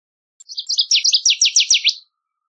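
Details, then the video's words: A Northern Waterthrush sings a loud, ringing song: a few quick high notes, then about eight emphatic downslurred notes that speed up before ending abruptly. "Northern Waterthrush Song! Call! Sound! Chirp! - Reinita Charquera Canto"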